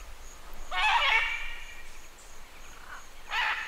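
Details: Green-winged macaw (Ara chloropterus) flight calls from a single bird at Tambopata Research Center: two harsh, grating squawks about two and a half seconds apart, over a quiet background with faint distant bird notes.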